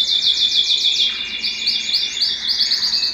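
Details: Excited canary wanting to mate, singing: high, fast repeated chirping notes in rapid trills with a steady whistled tone underneath, against a faint background hiss.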